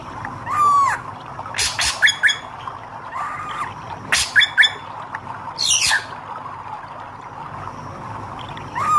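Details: Hair-crested drongo with red eyes delivers arched whistles and harsh ratcheting bursts, interspersed with sharp crackling notes, phrases spaced by short pauses.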